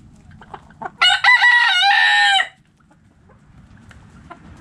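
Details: A bantam rooster crowing in the morning gives one loud, harsh, rich crow of about a second and a half, with a few soft clucks before it and quiet background noise.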